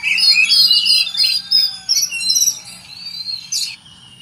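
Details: White-rumped shama, a prized kacer-type songster, singing a dense run of varied high whistles, chirps and trills with quick note changes, including insect-like cricket mimicry woven into the phrases; steady low hum underneath.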